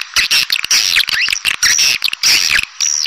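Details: Edible-nest swiftlet lure call of the pancawarna type, made to attract swiftlets: dense bursts of sharp, buzzy, high chirps and twittering notes, clipped and stuttering, with short gaps between bursts.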